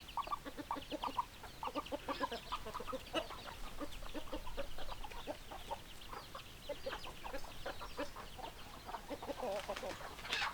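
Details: Chickens clucking as a busy flock, hens giving many short, overlapping clucks and clipped calls in quick irregular succession, with a sharper louder burst near the end.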